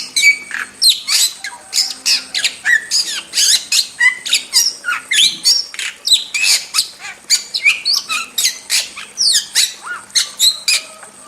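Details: Long burst of wild starling song, a fast, restless mix of clicks, shrill whistles, rasping squawks and chatters repeated several times a second with no real pause.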